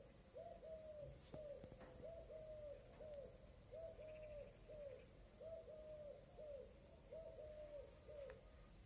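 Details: In a village setting with cats around, a Common cuckoo repeats a mellow, falling two-note 'cu-coo' about every second and a half, steady and unhurried, over a quiet rural background with a few faint clicks.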